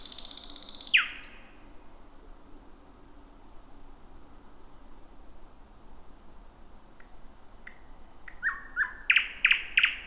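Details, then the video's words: Thrush nightingale at midnight in a bushy thicket, first singer of the year: an opening rattle, then soft high whistles, ending with loud clipped repeated knocking notes. "Whippavoo the Thrush Nightingale 2026"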